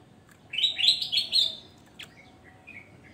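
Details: Javan grey-throated white-eye singing actively, a quick run of bright, chattering chirps, then a pause and a few softer, thinner notes trailing off, over a faint low hum.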